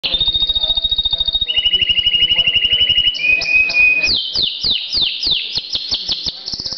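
A canary sings fast, high rolling trills, first steady and then dropping to a lower pitch, before switching to a series of quick downward-sweeping notes.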